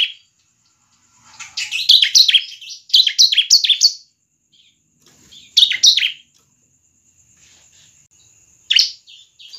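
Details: Bar-winged prinia song used to draw out other birds: separate bursts of rapid, high, falling notes with quiet stretches between, ending in a single short note, over a faint steady high tone.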